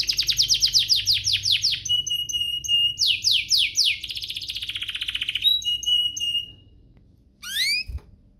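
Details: Canary song for drawing other canaries into song: rapid falling trill notes, thin whistles, a burst of steep sweeps and buzzy rolls, then quiet and a final rising phrase.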